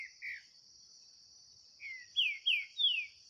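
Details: Green-winged saltator in a 2023 singing contest, a kept bird against one free in the bush: soft opening notes, then a phrase of four loud whistles each gliding steeply downward, with an unbroken high insect buzz.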